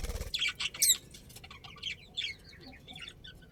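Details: Colony budgerigars, kept as a breeding pair, open with loud squeaky chirps, then continue in softer, scattered twittering notes.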